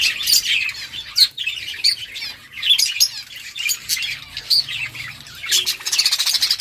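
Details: Playing budgies, October 30, 2023, chirping in quick, rhythmic bursts of high, raspy warbles, nearly every half second, ending in a faster run of buzzy ticking notes.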